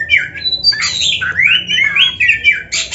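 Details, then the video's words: Oriental magpie-robin (kacer) song used as a masteran training recording for young or quiet birds: loud, varied whistled and harsh squawky phrases, sliding notes mostly high-pitched, continuous with short gaps. "Masteran Kacer Gacor Full Isian- 1 JAM LATIH MENTAL"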